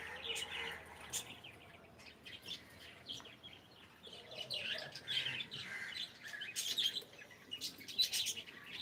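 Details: Pet cockatiel saying good morning: a run of bright chirpy syllables and short warbled phrases, clustered in bursts with brief pauses, plus a few sharp high clicks, all fairly quiet and indoors-sounding.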